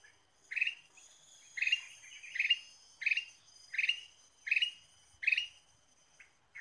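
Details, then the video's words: Ruby-throated bulbul, lure recording of a lively singing bird: seven short, bright, bubbly notes repeated about every 0.7 seconds, each with a ringing overtone, over a quiet background. "PIKAT KUTILANG EMAS GACOR"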